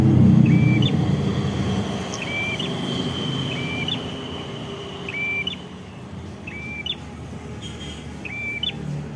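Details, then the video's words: Red-headed prinia in full song in Kedungprahu village, Padas district, Ngawi, East Java, Indonesia: a short flat whistle ending in a sharp upward flick, repeated about every second, with a steady high tone behind it and passing traffic rumble. "mp3 Suara Prenjak Kepala Merah Gacor"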